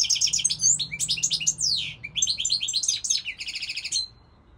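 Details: European goldfinch in full song, a continuous jumble of high tinkling twitters and slurred whistles, closing with a fast rattling trill before falling silent.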